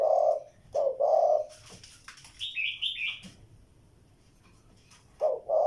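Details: Spotted dove giving low, hollow two-part coos, a short note then a longer drawn one, at the start and again at the end; a sharp higher chirping from another bird fills the quieter middle.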